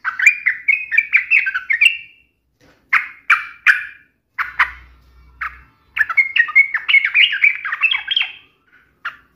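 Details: Lure song of a yellow-vented bulbul mocking a rival so another bird replies agitatedly: lively rising chatter, several spaced rough notes, then a long tumbling, bubbly phrase.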